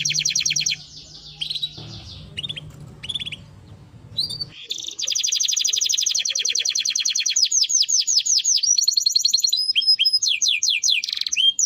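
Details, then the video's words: Timbrado canary song beginning with brief chirps over a low hum, then a long loud run of rapid high trills, followed by series of falling slurred notes and a thin sustained whistle. "Canary Bird Singing Timbrado canary singing beautiful melody"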